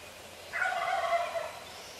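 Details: Wild turkey, a neighbourhood male, gobbling at 4:45 in the morning from a few feet away: one rapid rattling gobble of about a second, layered harmonic bands, over quiet pre-dawn background.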